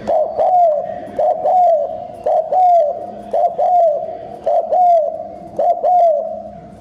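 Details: Spotted dove cooing for a decoy to excite wild birds, in rapid style: steady low hollow coo phrases with a downward-bending end note, about one phrase per second throughout.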